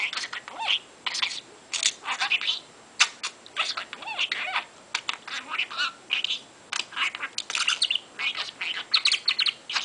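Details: Chattering of a 22-month-old pet parrot playing indoors, a bird that knows 136 words and 148 phrases and sentences: rapid, continuous run of squawky, chirpy and word-like syllables with brief gaps, no other sounds.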